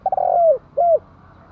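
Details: Spotted dove cooing close up: a stuttering rolling coo sliding down in pitch, followed by one smooth mellow note, with a low background hum.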